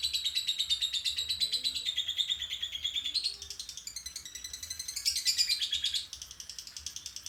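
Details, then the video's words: Lovebird giving a long ngekek trill, used to bring birds into breeding condition before a contest: a fast, buzzy, high chattering trill of about three notes a second that runs on without a break and wavers in pitch. "Love bird ngetik di lanjut ngekek"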